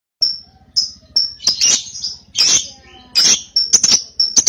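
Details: Cobalt lovebird, a young paud bird, calling in a sequence of sharp high chirps and squeaks with short gaps, some notes rasping and harsh, faint low rhythmic pulsing beneath.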